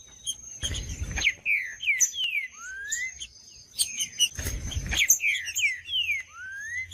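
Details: Green-winged saltator singing: a series of clear whistled slurred notes, mostly descending, then a rising note at the end, repeated in two phrases. A steady high whine runs throughout, with low thumps between phrases.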